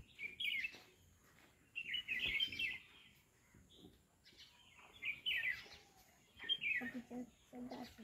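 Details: A bulbul in a bael tree gives bubbly, chattering chirps in four short bursts a second or two apart, with faint background rustle and distant noise.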